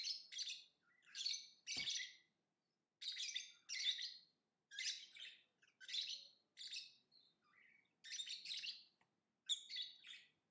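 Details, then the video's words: Lovebird singing and chirping: a steady series of grating, high chirp bursts, about one every second, with one sharp click near the start. "Lovebird Singing & Chirping Sounds"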